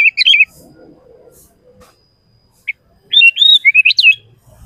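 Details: Short phrases of sooty-headed bulbul song for provoking other bulbuls: an opening quick chirpy flourish, a long quiet stretch with one lone note, then a bright jerky phrase of rising notes.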